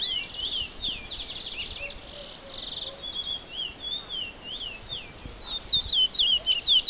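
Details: Chestnut-bellied seed finch singing: a run of clear, slurred whistled notes, rising and falling, scattered across the clip and louder toward the end, over a constant high insect drone.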